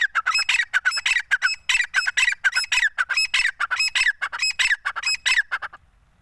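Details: Female grey francolin gives harsh, squawking notes in a fast, steady run of about five a second for nearly six seconds, then falls silent.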